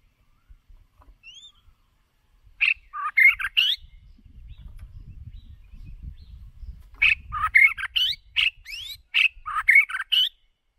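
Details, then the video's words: Decoy white-rumped shama in full song, used for voice training: a short burst of sharp mixed whistles and chatter, a pause of quiet rumbling, then a longer stretch of quick varied whistled and scratchy phrases. "Chòe lửa Mồi hót cực đỉnh ✦ Luyện giọng chòe lửa"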